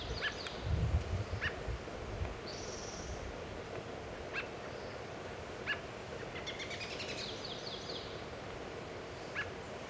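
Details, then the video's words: Adult American robin feeding in Kingston, Washington, giving short sharp chirps spaced every second or two, with high thin twittering from other birds and low rumbling background noise. "American Robin (Turdus migratorius) adult, feeding and chirping"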